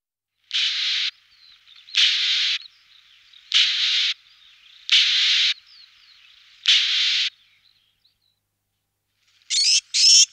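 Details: Eurasian blue tit giving five harsh, buzzy, broadband bursts, each about half a second long and spaced roughly one and a half seconds apart, then a short pair of rasping notes at the end.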